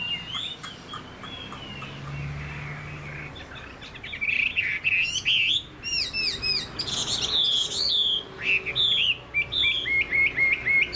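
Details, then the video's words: Caged Chinese hwamei, a bird kept for its song: quiet at first, then loud bursts of looping whistles, sharp upward slurs and repeated ringing notes in quick series. "Họa mi dáng ngũ trường, đấu xòe, hót tốt"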